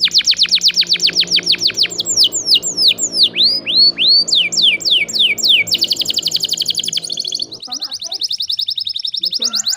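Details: Canary song meant to prompt stalled canaries to sing: rapid falling trills, a series of looping slurred whistles, then a dense high fast trill, with a low background hum.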